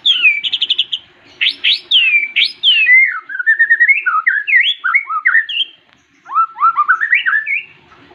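White-rumped shama singing a rich, fast medley of clear whistles, rapid trills and sharp rising and falling notes, with a short pause before a final run of phrases.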